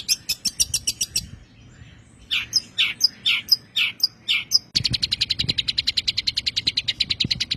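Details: Long-tailed shrike song from a recording used to train songbirds. Three spliced passages: a quick series of high chirps, then sharper sweeping notes about twice a second, then a fast, steady, rattling run of high notes.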